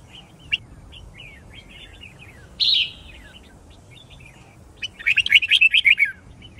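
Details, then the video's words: Red-whiskered bulbul, white-cheeked type, in a training recording for fast song learning and fighting song: scattered soft chirps, one harsh buzzy note, then a rapid rolling warble of about ten bright notes near the end. "Chào Mào Hót Đấu"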